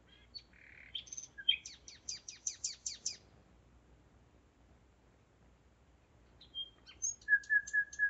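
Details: Nightingale singing at 01:55 on 5 May 2017 in Zeitz, Germany: mixed opening notes, a series of about seven sharp high repeated notes, a pause, then a new phrase ending in four lower piping whistles.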